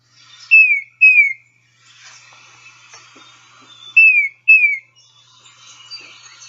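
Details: Tufted Titmouse song, played from a field-guide app, in its variable "Peter, Peter" pattern: clear, down-slurred whistled notes in pairs, the pair repeated after about three seconds, over faint background birdsong.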